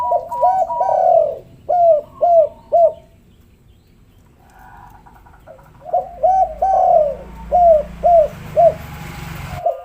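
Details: Spotted dove calls used as a lure to get lazy doves calling: low hollow coos in quick, bouncing series of four to five notes, a pause near mid-clip, then another run of coos, with faint background hiss.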